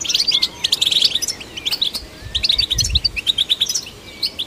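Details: A goldfinch song meant to stimulate goldfinches: bursts of quick high twittering broken by short gaps, with brief low bumps in the background.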